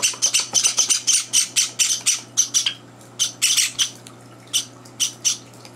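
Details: Pet Java sparrow chicks on their third day at home clamour for food at morning feeding as older birds intrude; fast bursts of shrill, rasping cries, dense at first, then thinning into scattered calls.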